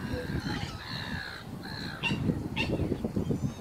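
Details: Black swan at Karkarook Park giving drawn-out, nasal bugling notes, each about half a second long, followed by two short sharper calls, over a steady low rumble of background noise.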